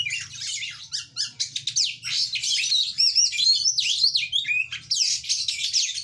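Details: Vigorous chattering song of an oriental magpie-robin, packed with rapid high chirps, rising and falling whistled slurs and buzzy fragments delivered almost nonstop, with a faint low hum underneath.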